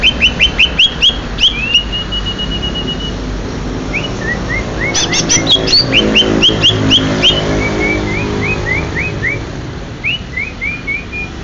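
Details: Genuine Banyuwangi greater green leafbird in long varied song: quick upslurred whistles, a held flat whistle, dense high chattering, then spaced rising notes repeated roughly every half second; faint engine noise behind.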